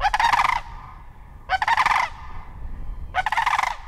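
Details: Repeated trumpeting rolls from a sandhill crane: three pulsed, harsh bugles roughly every one and a half seconds, each about half a second long.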